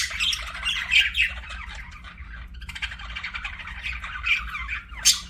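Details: Pet budgies giving fast chattering chirps and squawks, a busy warble that dips briefly in the middle before resuming, ending with a sharp loud squeak.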